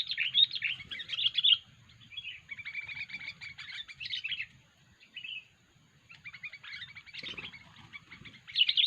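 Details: Sooty-headed bulbul with an unusual call, used to lure wild bulbuls: bursts of rapid chattering and buzzy trills separated by short gaps, over a faint low hum.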